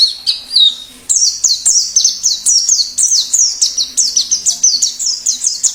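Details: Wild plengi ngalas white-eye whose song lures wild birds and sets off singing in kept ones: a fast, even run of high falling chirps repeated several times a second after a brief opening phrase.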